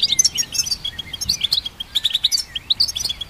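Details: Rapid liquid twitter from a goldfinch hybrid, recorded to train songbirds: bright chirps, quick up-and-down whistled slides and tinkling notes packed closely together without pause for over three seconds.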